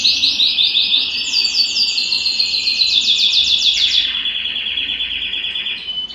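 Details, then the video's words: Excited canary wanting to mate sings a loud continuous trill: quick repeated notes climbing then holding high, dropping into a lower steady rattle, with a brief higher note at the close. "تغريد كناري هائج"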